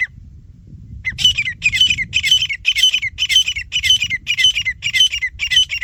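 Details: Male and female grey francolin in a fight: a brief quiet rumble, then loud, rasping, high squawks repeated about twice a second in an even run of nine or ten notes over faint low hum.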